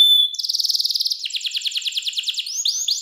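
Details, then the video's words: Cengkok mewah style song of a clear-voiced canary, a master song for young canaries to learn: a quick pulsing trill turns into evenly repeated chopped notes and ends with rising whistled slurs. "KENARI CENGKOK MEWAH SUARA JERNIH, COCOK BUAT MASTERAN KENARI PAUD BELAJAR BUNYI"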